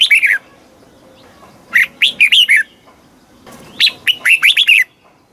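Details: Three lively phrases of slurred whistled notes, the last the longest. This Thai red-whiskered bulbul sings the southern master style, played to stimulate caged birds and teach young birds to sing.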